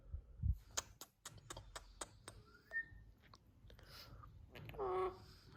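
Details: A pet talking Alexandrine parakeet makes sharp clicks and taps, then a brief rising whistle, and ends with a short, voice-like talking phrase, said to be "Mithu ya Ali madad", in a quiet room.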